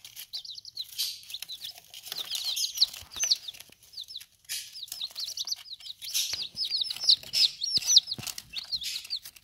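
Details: Chicks in their first ten days eating and drinking, peeping almost nonstop: many high, slurred cheeps from several birds overlapping in quick bursts, with pecking taps throughout.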